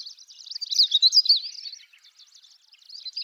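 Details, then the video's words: At Wakka Primeval Flower Garden, Hokkaido, in early morning, a Long-tailed Rosefinch gives calls and song: a quick, jumbled warble of high twittering notes rising and falling, fading into softer scattered chirps. "ベニマシコ（2）地鳴きとさえずり - Long-tailed Rosefinch"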